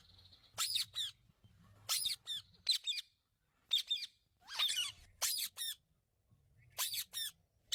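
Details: A pet Indian ringneck (rose-ringed) parakeet talking, answering its owner, gives shrill, raspy, speech-like bursts about once a second in short runs with brief pauses, over a faint low hum.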